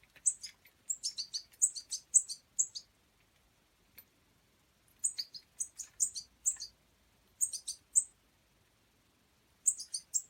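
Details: A juvenile European goldfinch fledgling in wild bird rescue care, being fed, gives thin, high, rapid cheeping notes in eager bursts of several calls, with short silent pauses between bursts.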